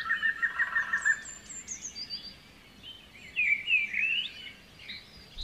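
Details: White-rumped shama song used as a lure to stimulate a stressed, reluctant bird to sing: a rapid trilled phrase, then thin high notes and rich rising whistles, over steady background hiss.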